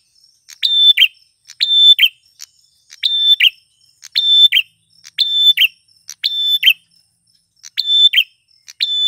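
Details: Male prinia (prenjak tamu klawu) singing actively, a lure for wild females: seven phrases, each a short note, a level whistled tone and a buzzy burst, roughly every 1.2 seconds, with faint high calls between.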